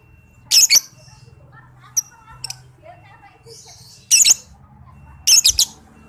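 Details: Under-five-month-old young lovebird in a recording used to tutor other lovebirds. Harsh doubled screeches and a few faint chirps play over a soft low murmur of background noise.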